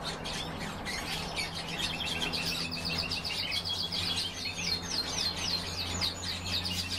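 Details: Many European bee-eaters chatter in fast repeated chirps, about three or four notes a second, forming a lively layered chorus above a steady low hum.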